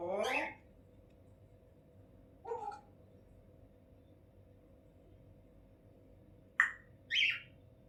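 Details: Talking pet African grey parrot in a good mood, repeating Allahu Akbar and Allah: a harsh, sweeping squawk-like phrase, a short voiced syllable, then two sharp, speech-like bursts near the end, separated by long silences.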